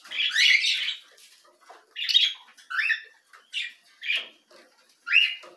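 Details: Canary nestlings being fed, uttering short harsh begging bursts about once a second, each a buzzy rising chirp, with quiet gaps between them.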